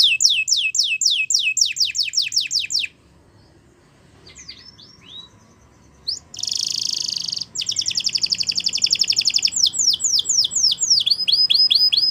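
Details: Waterslager canary training song: rapid series of steep, descending whistled sweeps, a short lull with faint notes, then a dense buzzy rolled trill before the falling sweeps return.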